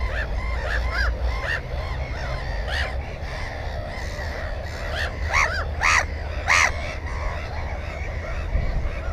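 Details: Black-headed gull at its nest holding one egg and one chick, filmed with a GoPro 4 camera: harsh, arched, harmonic calls, with a loud cluster of three around the middle, over steady low rumbling noise and fainter calls from other gulls.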